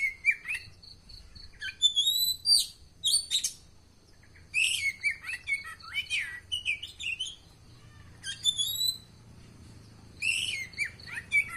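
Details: Oriental magpie-robin, or kacer, pours out rapid bursts of thin whistles, upslurred notes and scratchy trills in separate phrases. A steady high tone runs beneath parts of the song, with a quiet low rumble in the background.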